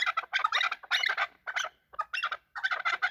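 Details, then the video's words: Chukar partridges calling as they fight, clipped raspy chuck notes delivered in uneven bursts separated by short silences. "Chakor fighting and making voices / chakor ki awaz / chakor calling / chakor voice"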